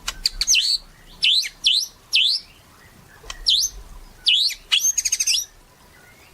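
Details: Energetic white-rumped shama song, used to stir other shamas to sing: sharp, high, V-shaped whistled notes in short bursts, with a brief buzzy rattle near the end.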